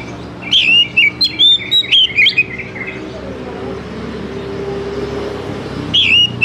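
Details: Lure song of an oriental magpie-robin, meant to prompt young wild-caught birds to start singing: a quick sequence of varied whistled and warbled notes over about two seconds, then a hissing pause before another brief whistled phrase.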